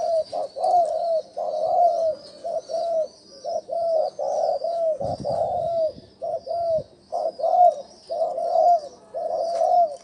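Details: Spotted dove calling as a decoy to draw wild doves: repeated low coo phrases of two to three notes, a brief rustle midway, and a constant high-pitched hiss.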